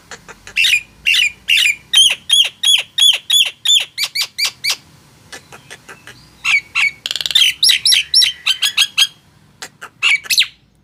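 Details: Nias hill myna singing steadily to coax quiet mynas: long run of rapid, evenly paced piercing whistled squawks, then a buzzy burst and more ringing notes.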